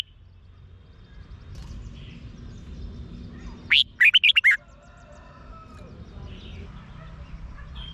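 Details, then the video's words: Thai Red-whiskered bulbul song, played to excite caged birds: a single fast phrase of about six bright, swooping whistles mid-clip, with faint distant chirps and steady low background noise around it. "เสียงนกกรงหัวจุก สำหรับต่อ หรือ เปิดให้นกคึก เสียงเพราะๆ"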